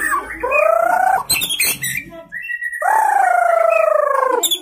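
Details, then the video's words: Young white-rumped shama just out of juvenile plumage, singing hard with isian filler phrases while staying on one perch: long buzzy, wavering notes held about a second each, a short gap of chatter, then another long sustained tone. "Murai Gacor Muda Lepas Troto Muntah Isian Main Satu Tirik"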